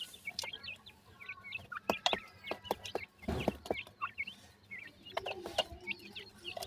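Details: Summer francolin chicks cheep continually in short, high, upward-flicking notes. Several sharp clicks and a brief rustling burst are heard midway, over a faint low hum.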